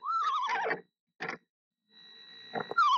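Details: Incubating mother screech owl sings to her unhatched eggs around March 28th: a descending, wavering whinny, brief soft rustling, then another quavering note starting at the end, over faint steady hum.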